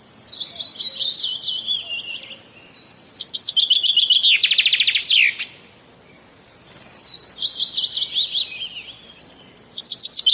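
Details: Common myna, known locally as shalik pakhi, in India. It gives high, chirpy descending warbled phrases in quick series, broken mid-way by a loud buzzy rattling burst, then more sliding chirps and a final clipped rattle.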